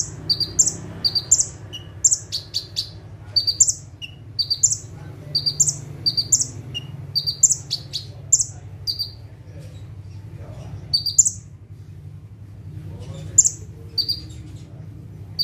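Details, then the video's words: Long run of 'tembakan' song from a bar-winged prinia sitting on one perch: crisp high paired chirps repeated steadily about every second, pausing briefly near the end before resuming, over a faint low hum. "KONIN GACOR FULL TEMBAKAN - CIBLEK / PRENJAK TEBU - SATU TITIK SAMBIL DUDUK MANIS"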